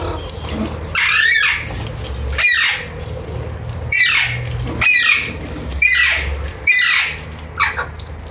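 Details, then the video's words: Alexandrine parakeet giving loud, harsh, screeching calls roughly every second, each a raspy downward-bending squawk, over a low steady hum; Alexandrine parakeet. "aleksandretta większa (Psittacula eupatria) Alexandrine parakeet"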